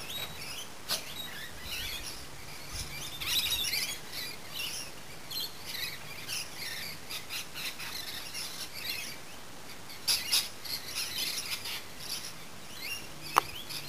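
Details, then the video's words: Late afternoon birdsong in a garden: scattered high chirps and brief twittering phrases, sparser and quieter than a full chorus, with a few sharp louder notes near the end and faint low background noise. "Afternoon Serenade"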